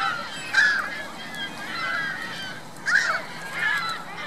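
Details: Geese with goslings at Virginia Lake in Reno, 2 May 2013: a few short, harsh honks at the start and near the end of the clip, with quieter, busy bird chatter and background hiss between them.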